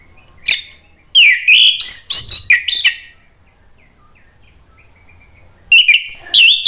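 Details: Orange-headed thrush song as a singing lure: a burst of loud, slurred, chattering notes lasting about two seconds, followed by a long silence, then another loud warbled burst.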